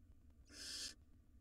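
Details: Wild barn owl nestling in a monitored nest box while nestlings swallow rodents; a single harsh, broadband hissing screech lasting about half a second, with low background hum.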